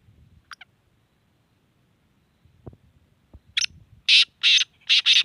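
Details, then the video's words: Black francolin (kala teetar) calling in Sindh, Pakistan: a few faint clicks and short scratchy notes lead into a loud run of rasping, grating bursts, some paired, with low rumbling noise underneath. "Kala Teeter"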